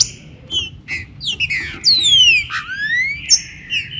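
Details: Warm-up singing of a green-winged saltator, with rain mentioned: bright whistled slurs, one long falling-then-rising whistle, and short high chirps over a soft low background hum.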